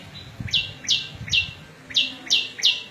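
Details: Prinia, a small bird with a melodious voice, singing bright downslurred chips, six evenly spaced notes in three seconds, each dropping to a softer lower trailing note; suited to training caged birds and luring wild ones.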